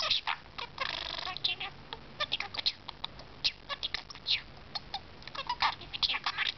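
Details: Pet budgerigar talking: a rough buzzy warble, then a stream of short chirpy, speech-like chatter notes and squeaks over constant hiss.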